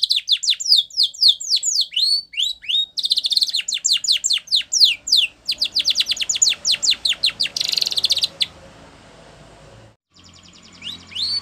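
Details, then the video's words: Canary singing a training song: long bursts of rapid downward-sweeping notes and buzzy rolls for about eight seconds, then quiet background hiss and a few rising notes at the end. "Canary Singing Bird Sounds"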